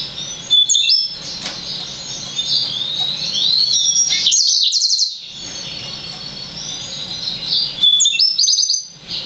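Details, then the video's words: Six-month-old Yellow-fronted canary × Black-throated canary hybrid, song expected to improve with maturity, sings a fast, high, twittering song of rapid trills and sweet whistled phrases almost without pause. "Yellow-fronted canary (Green singer) X Black-throated Canary"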